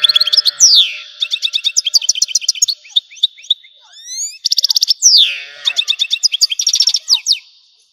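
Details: European goldfinch from Algeria in continuous song, a bright rapid twitter of repeated chirps broken by swooping descending slurs and buzzy trills, with almost no pause throughout.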